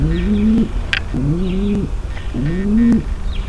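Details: Three long, level-to-rising coos from a female pigeon calling to get the male ready for mating, with a soft click and distant chirps between notes.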